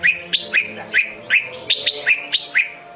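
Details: Red-whiskered bulbul in competitive fighting song, used as a lure for trapping: a crisp two-part chirp, a sharp upslurred note dropping into a clearer whistle, repeated about every quarter to half second.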